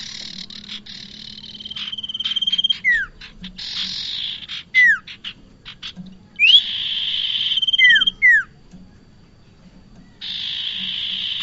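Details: Trapping lure of bar-winged prinia: buzzy, rasping bursts separated by quiet gaps, level whistled trills and steep falling whistles, with one note swept upward before a long buzz.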